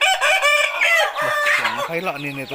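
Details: Rooster crow, strong and ringing, about one and a half seconds of rich harmonic tone with a wavering middle, followed by a man speaking.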